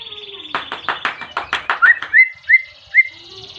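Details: White-rumped shama calling out a rival to goad other shamas into song; a burst of harsh buzzy rasping notes gives way to three or four short, clear upslurred whistles spaced about half a second apart.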